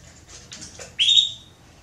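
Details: Soliciting call of a female Belgian canary: faint rustles, then a single loud, clear, slightly rising chirp that fades out over half a second.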